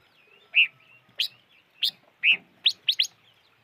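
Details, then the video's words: Mixed calls of the five-coloured bird, locally chim ngũ sắc: rounded whistled notes alternating with sharp rising chips, ending in a quick burst of three chips, with faint low background noise. "Suab noog rheeb quaj chim ngũ sắc"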